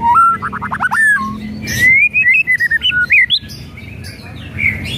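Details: White-rumped shama singing, a lure recording meant to provoke a lazy bird to sing: a fast run of descending whistled notes, then a rising series of clear whistles and warbled phrases, with brief bursts of harsh rattling.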